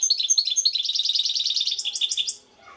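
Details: Sparkling, fast goldfinch phrase from Šuto Orizari: high repeated chirps that run into a buzzy, jingling trill and stop abruptly, leaving near silence.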